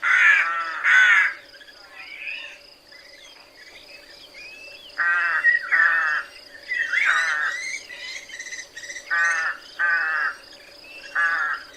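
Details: Hoarse rook caws in pairs and short runs across twelve seconds, rasping and grating, interspersed with softer gurgling notes and a constant faint hum.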